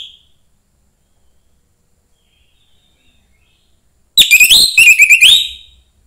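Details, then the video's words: After a long silence, one rapid phrase of bright, slurred whistles from a young forest orange-headed thrush, sung to encourage other thrushes to sing. "suara anis merah MUDA HUTAN meningkatkan felling anis merah lain"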